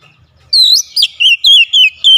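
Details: Loud oriental magpie-robin song, beak opened wide: after a short quiet start, a rapid string of six clear looping whistles, each bending down then up, in a steady pulsing rhythm.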